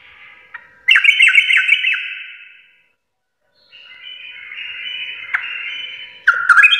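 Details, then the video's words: Sooty-headed bulbul (trucuk) singing "garuda" style: a short burst of fast, repeated scratchy notes, a pause, then a drawn-out buzzy strand with a sudden sharp ending phrase. "trucukan gacor full Garuda parah"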